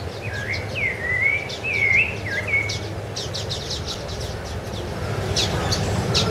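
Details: Rufous-bellied thrush (Turdus rufiventris) singing on Ilha do Governador in January 2013: a few clear, slurred whistled phrases that dip and rise, given over about two seconds, then fading into steady background noise with faint high chirps of other birds.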